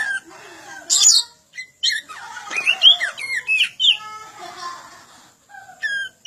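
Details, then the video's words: Oriental magpie-robin (kacer) song used for bird training: a jumble of squeaky slurred whistles, harsh buzzy notes and short chirps, irregular and broken by brief gaps. "Suara panjingan masteran burung kacer gacor"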